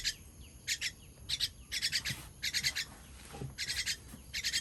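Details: Chick begging during feeding, dated 18.06.23: irregular clusters of harsh, scratchy chirps, some bursts run longer, broken by brief silent gaps.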